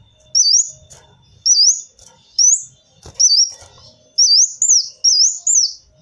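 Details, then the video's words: Sunbird known as kolibri wulung giving high, thin, curling whistles. Each phrase is a brief rising-falling squeak, repeated roughly once a second in a quiet setting. "Suara burung kolibri wulung cocok buat suara pikatan kolibri"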